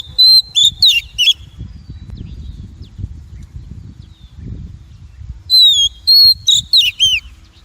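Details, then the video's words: Female Oriental magpie-robin call, used as a lure to stimulate and train males and for trapping; two bursts of clear whistled notes around four kilohertz with sharp down-slurred chips, separated by a quiet gap with low rumble. "Tiếng chim Chòe than mái kích bổi, luyện giọng bổi, bẫy chòe"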